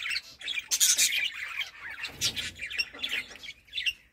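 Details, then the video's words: Budgerigar flock calling: overlapping shrill chirps and squawks from several birds, a busy steady chatter throughout. "Beautiful budgies sound"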